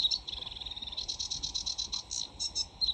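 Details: Sedge warbler, a summer breeding visitor to the UK, singing in full flow: a fast, continuous run of harsh buzzy chatter and grating notes, with brief higher sweet whistles mixed in; no other sounds stand out.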